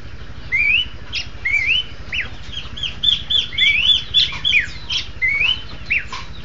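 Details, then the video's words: Horsfield's babbler pair in duet: rising slurred whistles answered by sharp high downslurred notes, bunching into a fast overlapping burst mid-phrase before spacing out again, with a low background hum throughout. "burung kicau duet pelanduk semak"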